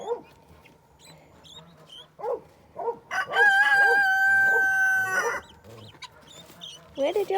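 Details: Guineafowl with a chick, the young one said to be calling for its mother. Short harsh notes repeat about four times a second, broken by a long, sustained, ringing note, with music playing in the background.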